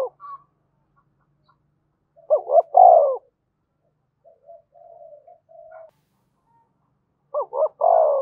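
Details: Spotted dove from Đồng Nai in Vietnam, calling and urging to lure wild doves: two phrases about five seconds apart, each a bouncy double coo then a long descending croo, with faint soft murmurs in the gap.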